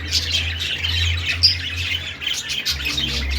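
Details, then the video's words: Budgerigar singing in short bursts of high, buzzy chatter and sharp chirps, with a strong low electrical-sounding hum underneath. "Budgie sounds Budgie singing"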